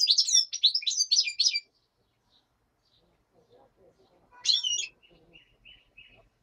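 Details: Black-headed goldfinch in daytime song: a rapid run of liquid, chattering twitters lasting over a second, then silence, a single buzzy burst and a few faint soft notes; a common nightingale sings in the background.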